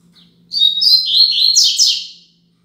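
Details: Double-collared seedeater singing the Braddock style 'Tui Tui Zel Zel' song, used as a tutor song for young birds: a high, fast phrase of chirps and warbles, rising into loud descending buzzy notes near the end, over a steady low hum.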